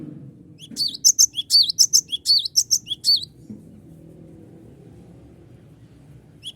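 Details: Energetic cinereous tit song used as a lure to provoke rivals into answering: a steady run of bright, high, clipped whistled notes repeated quickly for about three seconds, then quiet with one final note.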